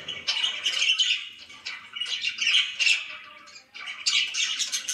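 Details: Pet budgerigars chirping: dense, scratchy warbling chatter in bursts, with a short pause before the last second.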